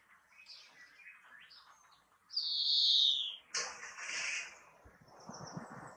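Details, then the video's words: Greenfinch singing: quiet twitters lead into a long nasal buzzing wheeze that falls in pitch, then a second harsh buzzy note and trailing chirps, with a low rustle near the end. "Vogelstimmen: der Grünfink"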